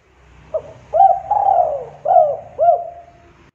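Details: Lure call of a spotted dove for making birds sound off quickly: a soft short note followed by a rising coo, a long falling drawn-out coo and two short hollow coos, over a low steady background hum.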